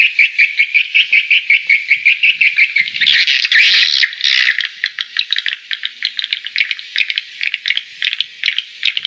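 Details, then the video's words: Bird recorded in August 2013 at a house in Ho Tram gives rapid, high chattering notes, about two or three per second, with a dense burst of overlapping calls in the middle; bird call. "Bird call"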